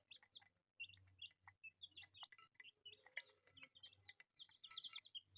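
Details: Pet chicks, colourful ones, giving rapid high cheeps in quick overlapping bursts, some slightly falling in pitch, over a low steady hum and frequent sharp clicking noises.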